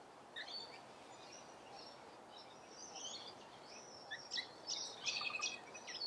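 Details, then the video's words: Rainbow lorikeets feeding in Australia, giving shrill, scratchy high screeches and chatter, scattered at first and building into a denser burst of overlapping calls toward the end, over a steady background hiss. "RAINBOW #Lorikeets FEEDING"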